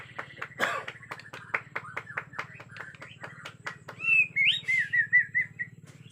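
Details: White-rumped shama from Borneo, agitated, with a natural forest sound: a run of sharp ticking clicks about every quarter second, then a bright, wavering whistled phrase near the end over a steady low hum.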